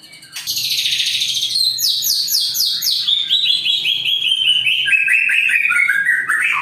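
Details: Captive white-rumped shama of the Trah Jawara line with a Vegas BF ring, singing long bursts. A loud rich opening note is followed by rapid repeated trills stepping steadily down the scale, with no break in the sound.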